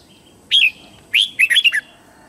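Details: Morning song of a red-whiskered bulbul for training young white-cheeked birds. A single bright whistled note, then after a pause a rapid, rollicking run of five slurred notes that dip and rise.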